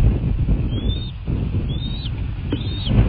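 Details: Nest-cam recording from a bald eagle nest in southwest Florida, 23 February 2024, late night: three thin, squeaky whistles, each rising then bending down, spaced about a second apart, with strong low wind rumble underneath.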